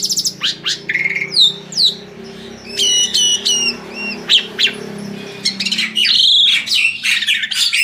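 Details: Asian pied starling luring other birds to sing: scattered whistles and rattling clicks give way to looping slurred phrases and a dense, harsh chatter, over a faint low hum.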